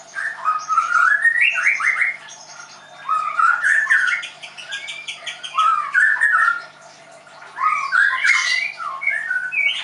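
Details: Caged White-rumped shama (murai batu, Leuser) kept at a bird training school in Tangerang, singing loud, varied whistled phrases in bursts of one to three seconds separated by short pauses, with rising and falling notes and some higher chattering.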